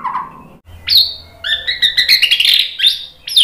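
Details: White-rumped shama song of sharp upslurred whistles and a fast chattering run of notes, with a faint low hum beneath.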